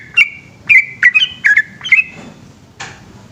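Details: Brief burst of the yellow-vented bulbul's nighttime 'ropel' song: about five quick, liquid whistled notes, then the singing stops, leaving soft hiss and a single dull click.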